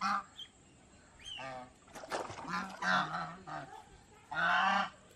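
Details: Domestic geese at Planet Earth Aquarium, Mysore, producing a string of coarse, nasal honks over background clatter, ending in one long, loud honk, with a steady faint high whine audible.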